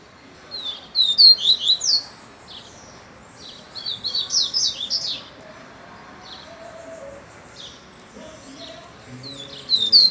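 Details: Double-collared seedeater singing upside down: three bursts of fast, high, twittering notes with sharp downward sweeps, separated by pauses of a few seconds, with faint lower tones in the background.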